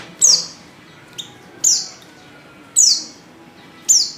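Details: Loud, sharp, high-pitched downslurred notes, four in about four seconds with a faint extra note between them, from a female white-eye in heat calling a male.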